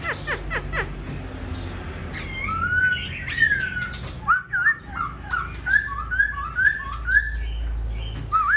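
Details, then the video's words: Caged black-throated laughingthrush fanning its tail and flicking its wings: sharp clicking ticks open, then loud clear whistled notes sliding up and down, settling into a run of short repeated rising-falling whistles about every half second, with low background hum. "Khướu bạc má VIP đuôi xòe, múa cánh giọng cực hay"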